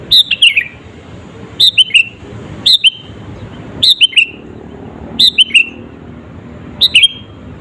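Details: Lively 'gacor' sooty-headed bulbul lure song used to agitate rival birds: six bright phrases of two or three quick, downward-slurred whistles, spaced about one second apart over steady low hiss.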